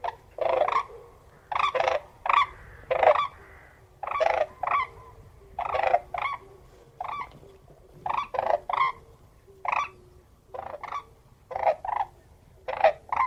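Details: Rattling, trumpet-like crane calls delivered in paired bursts, each pair followed by a short pause, repeating through thirteen seconds; a faint lower hum runs throughout.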